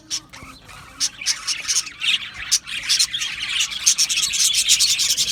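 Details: A budgie colony in an aviary, Australian birds singing happily: it begins with a few quiet scattered notes, then builds into loud, rapid, squawky high chirps and chatter from many birds.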